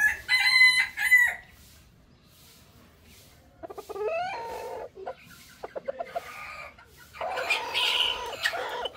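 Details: Rooster crowing: a loud, harmonic, drawn-out crow lasting just over a second, followed by quieter, broken, clucking calls and a second rough, noisy burst near the end.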